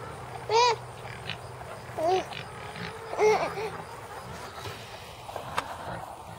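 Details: Chickens, let out of a mobile coop onto fresh pasture of tall grass, give a few short, arched, nasal calls, spaced a second or so apart, over a soft outdoor hiss; pigs may be in the background.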